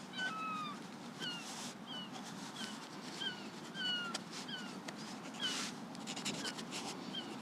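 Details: Several seagulls crying over the Lizard peninsula coast in Cornwall, recorded on a walk with traffic audible below; frequent short, slurred falling mews from multiple birds, some layered together, amid wind-like hiss and low rumble.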